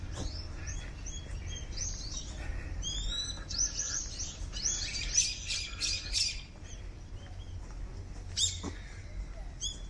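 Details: Brown-eared bulbuls flying lively among cherry blossoms in full bloom give loud, shrill, screechy calls in quick bursts, some sliding up or down, over a low background rumble.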